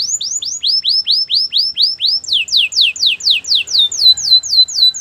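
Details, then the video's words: Canary singing a training song for other canaries: clear repeated whistled notes that rise and fall, about four per second, shifting midway to a faster series of higher, steeply falling whistles. "Canary training champion song!! Canary's most powerful song for training"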